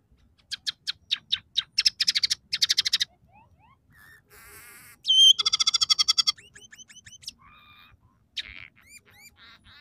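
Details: Scaly-breasted munia in full song, mixing three song variations with house sparrow, red siskin and canary fill-ins: chirp series, a buzzy wavering phrase, a fast rattling trill, then varied twittering and upslurred whistles.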